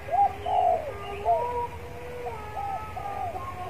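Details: Spotted dove kept as a decoy bird, warming up in a yard before singing: soft, low, hollow cooing phrases. Rounded notes rise and fall, with a few longer drawn coos over about four seconds, against a quiet background.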